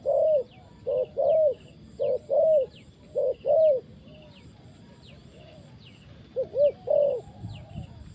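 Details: Decoy spotted dove used for trapping repeats short-long coo pairs, goes quiet for a few seconds, then resumes with quick double coos and a longer coo. Faint high chirps sound in the background.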